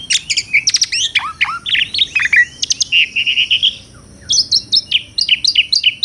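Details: Asian pied starling in full, lively song: fast, sharp chirps and downslurred whistles, then a steady row of similar notes. A short pause follows before another rapid burst of repeated chirps.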